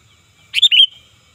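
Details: One phrase from a loud, lively sooty-headed bulbul, used to lure and tutor birds. A slurred chirp leads into two rapid notes that end in a brief level whistle, in quiet surroundings.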